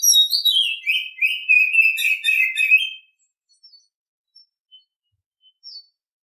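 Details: Oriental Magpie-Robin heard in the morning singing about three seconds of sliding whistles and quick scratchy twitters, followed by quiet with only a few faint distant notes.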